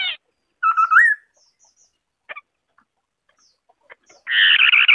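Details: White-browed scimitar babbler sings a wavering fluty phrase that rises at the end, followed by quiet scattered clicks and then a burst of loud, rough chattering notes.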